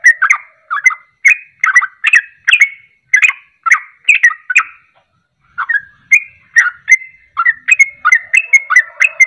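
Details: Fast chattering song of a sooty-headed bulbul, used as bait so birds join in; rhythmic, mellow, slurred whistled notes in steady runs, one brief pause near the middle before the bubbling series resumes.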